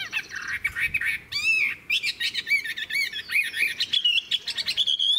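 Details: Chinese hwamei, old and wild-caught, in continuous song: dense warbled phrases of high slurred whistles with a harsh burst near the middle, rising slightly toward the close.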